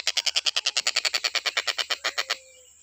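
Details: Stork-billed kingfisher in training audio for other cage birds delivers a brisk series of harsh cackles, about twenty notes in two and a half seconds, then stops, leaving a faint high tone.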